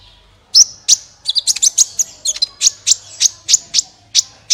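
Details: Sunbird singing energetically as a lure for other birds: after a brief pause, a regular series of sharp, very high chirps roughly every quarter second, with a quick twittering cluster near the start.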